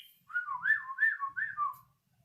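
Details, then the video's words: Learning Yellow-vented bulbul giving a short warbled phrase of liquid whistles, wavering up and down in a mid-high pitch for about a second and a half. "BURUNG TRUCUKAN BELAJAR BUNYI"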